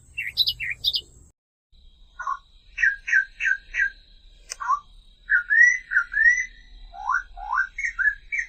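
Australian reed warbler singing rich, throaty phrases, each note repeated two to four times before switching to rising or falling whistles; a brief low hum at the start.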